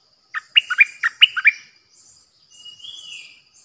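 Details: Sooty-headed Bulbul used as a decoy call bird gives a quick burst of about seven bright, bubbling whistled notes, then a faint, thin rising whistle.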